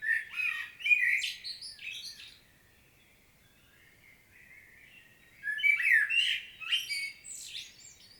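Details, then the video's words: Field recording from Świnoujście, Poland, 25.09.2022, of a common blackbird's powerful solo: a loud fluty phrase with squeaky high ends, a quiet gap with soft distant chirps, then another rich whistled phrase. "Blackbird's solo"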